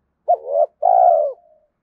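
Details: Spotted dove call used to make decoy birds respond quickly: a brief hooked coo, then a sustained, mellow coo sliding gently downward and trailing off.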